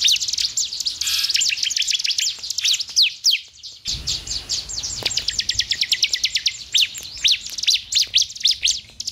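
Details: Bar-winged prinia chirping meant to stimulate another bird into quick song: a long, rapid train of very high, sharp, evenly spaced chirps, a short dense burst near four seconds, then fast rhythmic notes to the end.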